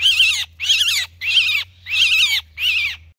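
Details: Harsh rasping screeches from a myna calling its flock for help, five strident cries in a row, each about half a second long with short gaps, against a quiet low-pitched hum.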